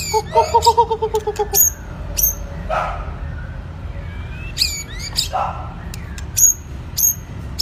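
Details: Wild-caught White-rumped shama of two seasons, practising song: a low pulsed rattle, high sharp chips, soft buzzy notes and short rising whistles, with a constant low-pitched hum behind.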